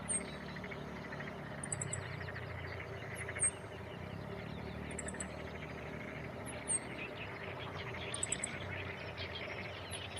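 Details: A food-carrying male meadow bunting perches on a branch by an irrigation canal on 28 May 2017, possibly near its nest and chicks. Recorded on a Panasonic DC-FZ85 with wind-noise reduction. Sharp high call notes and short clustered chirps recur every few seconds against a constant rural hiss.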